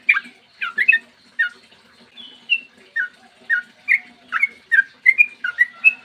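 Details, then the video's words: Sooty-headed bulbul giving long rapid 'ropel' song in the morning, used as a lure to provoke other bulbuls into singing; short slurred whistled notes, some rising and some falling, in quick bursts with brief pauses, a faint low hum beneath. "trucukan gacor ROPEL PANJANG buat pancingan trucukan agar bunyi"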